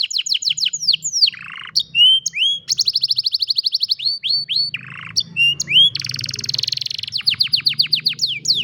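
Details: Singing canary recorded by cellphone: rapid falling chirps, fast rolling trills and sweeping whistled notes follow one another without pause, with a faint low hum underneath.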